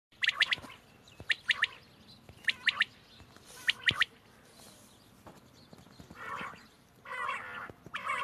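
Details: Quail calling, recorded 31 March 2024: sharp three-note bursts repeated about every second, followed by softer, broader buzzy notes near the end over a light background hiss.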